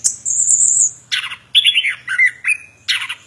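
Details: Plontang bird giving a long shrill high whistle, then harsh downward chattering phrases and short slurred whistles; a faint low hum runs underneath.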